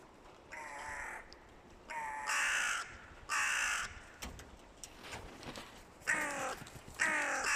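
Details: Two rival crow clans making a loud racket ahead of the nesting season. Several birds give overlapping harsh caws in irregular bursts, some rasping and some cut short, with a few sharp clicks between them.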